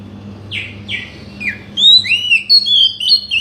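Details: Oriental magpie-robin song used to provoke a silent bird into singing: three downslurred notes, then a rapid run of varied whistles climbing and falling, over a steady low hum.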